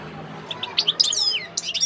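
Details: European goldfinch near Sidi Bel Abbes, 17 December 2021, giving a short burst of high twittering: a few soft chirps, then a rapid liquid jumble of tinkling, slurred notes with brief pauses.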